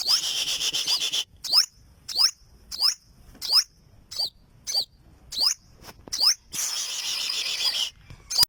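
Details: Olive-backed sunbird (burung madu sriganti) sending out a run of about a dozen sharp, high swept notes between longer hissy rustling stretches at the start and near the end.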